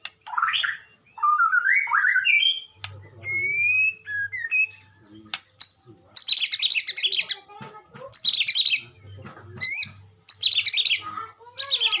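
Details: White-rumped shama sunning in the morning, singing varied rich whistled phrases, rising and falling, mixed with harsh buzzy bursts and clicks, over a faint low hum.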